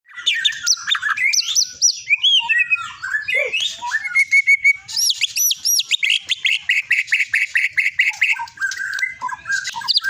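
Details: Long-tailed white-rumped shama of the Medan type, a caged contest bird that has won many events and is prized for its melodious, varied voice, pours out a rich medley of high whistles, slurred notes and rapid trills.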